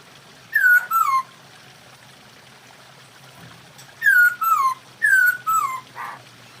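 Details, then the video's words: Masked laughingthrush mating call, used to raise breeding drive: three clear two-part descending whistles separated by pauses of about three seconds and one second, over a low steady background hiss. "poksay hongkong kawin"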